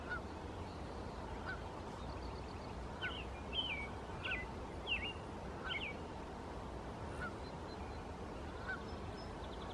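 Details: An American robin sings a brief run of clear, slurred whistled phrases, rising and falling about twice a second, over a steady low rumble, recorded in the Squamish River estuary, British Columbia.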